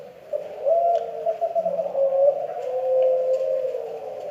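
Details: Spotted dove from Kelantan with an unusual call, a steady low humming coo that wavers and swells in one continuous phrase, faint background hum beneath.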